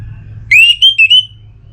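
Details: Single loud whistled phrase of an orange-headed thrush, Singaraja, North Bali, calling a rival while in breeding condition. A rising slur leads into three quick wavering notes against a faint low hum.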